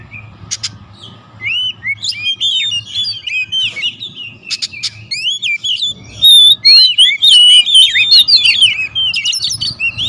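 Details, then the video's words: Several territorial oriental magpie-robins singing agitatedly against each other: dense overlapping high whistles, trills and sharp chattering notes, some loud bursts, over a faint low hum. "KACER RIBUT"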